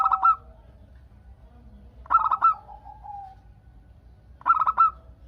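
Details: Local zebra dove in strong song to provoke replies from other doves: three clusters of quick, burry coo beats spaced about two seconds apart, one followed by a soft descending coo.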